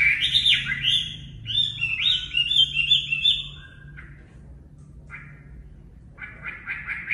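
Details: Natural-voiced Chinese hwamei song for training caged birds: rich fluty warbling phrases tumbling and sliding, then a pause with a few short notes, ending in a quick repeated note series.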